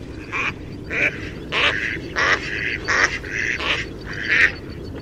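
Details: Mallard duck quacking: a steady series of about seven loud, harsh, nasal quacks, each short and coarse, coming a little more than once per second.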